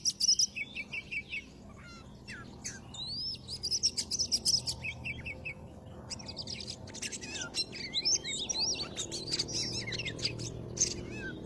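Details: Oriental magpie-robin singing, used as a trapping lure: a busy, varied stream of high whistles, slurred notes and quick chattering bursts. Phrases tumble together and grow denser toward the end, over a soft background hum.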